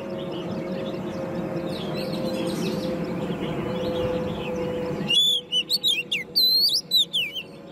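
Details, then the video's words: Hand-raised, caged ten-month-old Oriental magpie-robin in competition singing. Five seconds of broad background noise give way to bright, clear whistled phrases with sharp rising and falling sweeps, delivered in quick separate bursts. "Chú Choè Than Nuôi Non 10 Tháng Lồng Mỏ ''SIÊU DỊ'' Hót Đấu"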